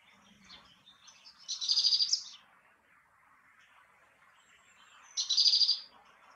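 A great tit gives two short bursts of rapid, high, ringing notes about three seconds apart, over a soft murmur of distant birds.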